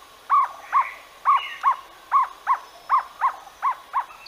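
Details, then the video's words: Jungle owlet producing a quick, even series of about eleven clipped hollow notes, closely spaced and gradually softening, over light background hiss. "Jungle Owlet Call"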